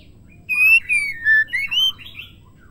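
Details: Female White-rumped shama singing, a call meant to stimulate male shamas into song: clear, pure whistled notes, each held, then sliding down and back up, in five quick phrases over about a second and a half, with faint background hiss.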